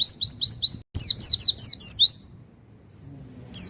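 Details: Master recording of a Pacitan-type Javan white-eye: a crisp series of high rising whistles, a short break, then a faster run of sharp slurred notes, followed by quiet and a single closing chirp.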